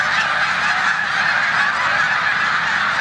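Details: A large snow goose flock in a Savannah, New York corn field on 14 March 2020, with resident Canada geese nearby; an unbroken mass of overlapping honking calls.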